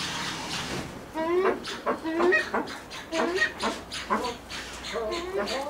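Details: Blue eared pheasant at a pheasant breeding farm giving a series of short harmonic calls, some rising and some bending downward, repeated roughly once a second with uneven spacing.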